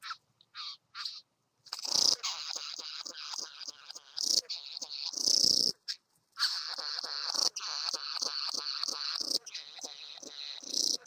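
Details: Satin bowerbird visiting a bower produces long, continuous rasping and whirring chatter with rapid ticking pulses, broken by brief silences.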